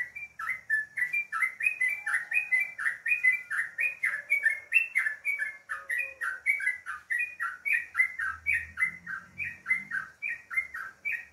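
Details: Sooty-headed bulbul in the morning chattering steadily: bubbly, slurred chirps and short whistled notes at about four per second, with a faint low rumble near the end.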